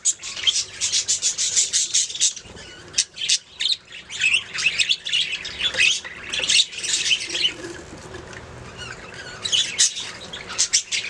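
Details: Budgies chirping: a fast flurry of sharp, high chirps, then looser warbling and squeaky notes, and a final few scattered chirps after a quieter stretch.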